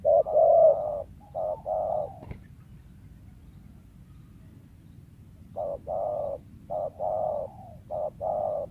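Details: Wild spotted dove with a sought-after lure voice: hollow coo phrases, then a pause of several seconds, then a fresh run of short and long coos with a stuttering rhythm.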